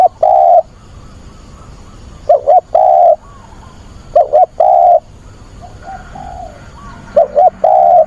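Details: Decoy spotted dove calling to find a mate, 24 August weekend. Four phrases about two seconds apart, each made of a quick doubled note and a long steady coo, with faint cooing between phrases.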